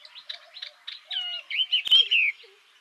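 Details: Yellow-eyed babbler song: soft chattering notes building into a few louder slurred whistles that swoop downward, with one sharp click near the end.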